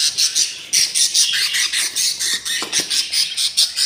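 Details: Hungry budgie chicks four days after hatching, three out of eight eggs: a rapid run of harsh, raspy begging squawks, about two to three per second, steady and insistent throughout.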